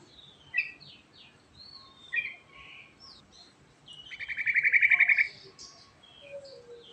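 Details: Yellow-vented bulbul in rolling 'ngerol' song: a few sharp whistled notes, then a rapid trill of repeated notes growing louder, over steady background hiss with other faint high calls.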